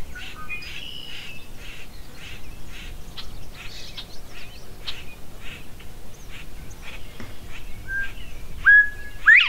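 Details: Northern bobwhite calling at Goose Lake Prairie State Park, Illinois. Busy chirps and twitters of other birds come first, then near the end a level whistle and a sharp rising whistled note ring out clearly.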